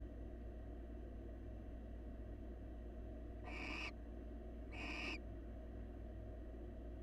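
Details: Wild barn owl at a monitored nest box, male grooming its mate and offering a meal: two short harsh, hissing screeches about 1.5 seconds apart over a steady low hum.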